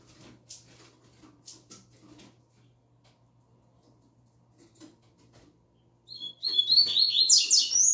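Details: Young double-collared seedeater singing a learned song in the 'tui tui zel zel' style: after soft clicks and rustling, a brief high burst of rapid buzzy, warbled notes in the last two seconds.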